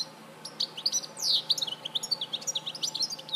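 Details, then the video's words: Singing European goldfinch, Larache, 2014, pouring out quick liquid twitters with one longer descending slurred note near the middle, then a steady stream of bright chirps. "Jilguero Larache 2014"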